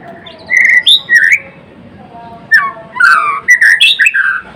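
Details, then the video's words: Murai Blorok white-rumped shama giving short bright whistled phrases: a held whistle, sharp upward slurs, a pause of soft notes, then a loud jumble of swooping, clicking notes. "Kicauan MURAI BATU GACOR (Murai Blorok gacor)"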